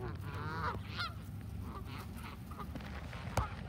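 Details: A feeding flock of Canada geese: a loud rising honk near the start, followed by quieter, spaced honks from other birds over low rumbling noise.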